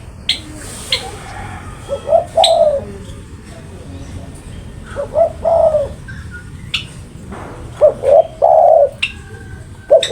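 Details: Spotted dove cooing loudly in a very vocal bout. The three-part phrase, a short note, a second note and then a longer drawn-out coo, repeats about every three seconds. Sharp chirps and clicks from other birds are heard in between.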